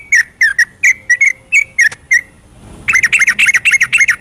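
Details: At night, a yellow-vented bulbul gives 'ropelan' song, a lure for sluggish birds: spaced bubbly whistled notes, then a quiet gap, then a fast tumbling burst of chattering notes.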